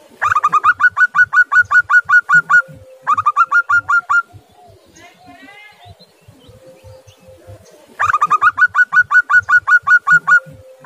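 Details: Local zebra dove from Indonesia giving a calling series to draw a silent dove into calling: three bouts of fast, evenly spaced staccato coos. During a quiet stretch between bouts, softer chattering notes and a low steady hum are heard.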